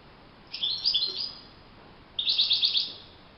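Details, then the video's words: European goldfinch in the wild giving two short high phrases: first a slurred, liquid twitter, then after a pause a fast string of five or six sharp, evenly spaced tinkling notes. "chant chardonneret le Roi de la nature- Le chardonneret en pleine nature"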